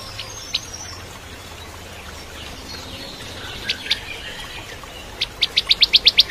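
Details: Bar-winged prinia, known locally as ciblek kristal, singing actively as a training song for magpie-robins. Scattered sharp high notes, then a quick run of about eight bright, clipped notes at the end.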